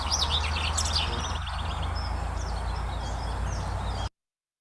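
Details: Garden warbler song, heard during the Essex Big County Birdwatch in May 2023: a fast, rich, rambling warble like a sped-up blackbird, strongest at the start, over a steady low hum; possibly a second bird answering, with other birds faintly behind.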